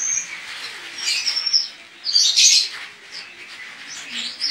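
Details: Singing-competition white-eye from Pontianak, West Kalimantan, Indonesia, pours out high warbling twitters with a thin whistled note early and a loud chattering burst near the middle.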